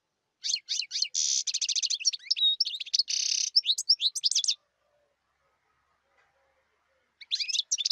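European goldfinch song: a fast, tinkling jumble of high twittering notes, liquid trills and buzzy rattles, pausing briefly before resuming. No other sounds are heard.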